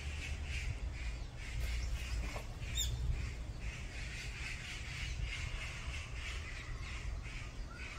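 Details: A mountain group of fighting Brown-eared bulbuls gives rough, scratchy squawks in quick irregular bursts. A brief thin whistle cuts in near the middle, and a low hum continues beneath.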